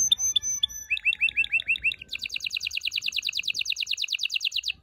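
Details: Canary song for stimulating males and females to mate: clear high whistled notes, a row of upslurred chirps, then a fast, steady, rolling trill.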